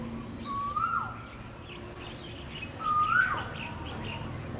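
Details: Asian koel calling to attract a mate, two drawn-out whistled notes climbing in pitch and finishing with an abrupt upward flick, a little over two seconds apart, with faint softer bird calls between them.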